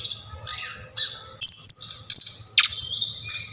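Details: Brown-chested jungle flycatcher song from Bali, in a recording meant to spur captive birds into song. Breathy high notes are broken by three sharp, bright chips, then a loud downward sweep, over a faint low hum.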